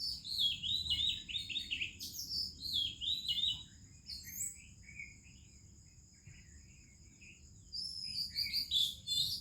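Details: Oriental magpie-robin in Indian morning song: rapid falling whistled notes at the start, softer scattered phrases during a quieter middle, then a loud chirpy burst at the end, with constant insect hum.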